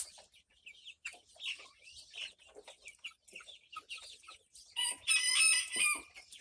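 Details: A group of White Leghorn chicks hatched March 17, 2024, recorded May 26, 2024. High overlapping peeps chatter throughout, swelling near the end into a louder, longer run of shrill, piping calls.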